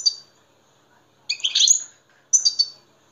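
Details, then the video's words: Short bursts of European goldfinch song, used to excite captive goldfinches: three quick, buzzy, tinkling phrases separated by about a second of quiet. "muhteşem saka huylandırma"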